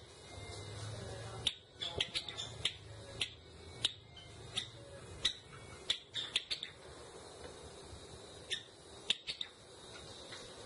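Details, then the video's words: A Java sparrow, a rice-eating bird native to Java now rarely found wild there, gives sharp, dry clicking notes in uneven bursts with a thin ringing tone, over a faint low background hum. "suara indah burung glatik jawa"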